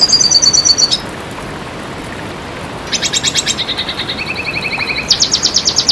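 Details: Red siskin song used as training audio for cage birds, delivered in strings of fast, bright high notes: a sustained buzzy trill, then pulsed chattering phrases, steady lower-pitched trills and a final high rattling burst.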